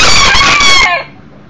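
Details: Millefleur d'Uccle rooster, a one-year-old younger beta male, brought indoors for a visit near a broody hen with chicks: a loud, harsh crow with bright stacked harmonics, heard only as its final stretch ending abruptly.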